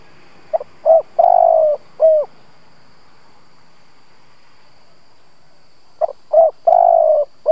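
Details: Decoy spotted dove calling to lure other doves: two repeated cooing phrases of stutter, round coo, long pulsing coo and falling end note, separated by several seconds of quiet.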